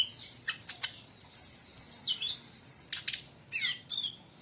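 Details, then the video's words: Energetic brown-chested jungle flycatcher song from Bali mixed with other birds, meant for tutoring cage birds: scratchy chips, a run of warbled notes, then paired falling slurs after a short gap, above a steady high whine. "srdc gacor ribut campur suara burung"lain"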